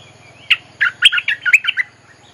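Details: Bulbul song used as a lure for wild birds, with a quick run of about eight bright, bubbling chirps over a faint low, pulsing hum.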